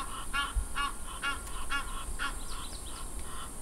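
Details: One of a pair of Egyptian geese feeding in the shallows at Sable Dam Hide, Kruger National Park, gives a run of harsh, raspy honks about twice a second, fading into softer calls, over a low wind-like rumble.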